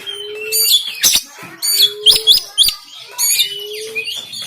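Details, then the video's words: Oriental magpie-robin phone recording from Banten intended to wake up a lazy caged kacer: three bursts of loud, coarse chattering and rising whistles, each preceded by a long low flat tone, separated by brief pauses. "KACER TEMBAKAN KASAR‼️Full Emosi Dongkrak Kacer Yang Malas Bunyi Dan Buka Ekor"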